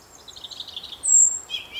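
A European robin sings a brief, high phrase: a quick warbling run, then a thin sustained whistle and a lower trilled note. Faint background hiss.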